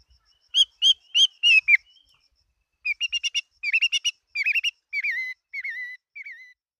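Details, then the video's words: Chinese hwamei fighting bird sings in 2018: a few loud emphatic whistles, a pause, then a quicker chain of warbled, wavering whistled notes slowly dropping in pitch and fading toward the end. "Hoa mi hot giọng"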